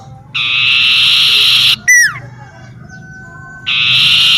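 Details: A common iora sings in a garden close to home: a drawn-out harmonic whistle, then an abrupt down-slurred note, a thin fainter whistle, and the long held note again.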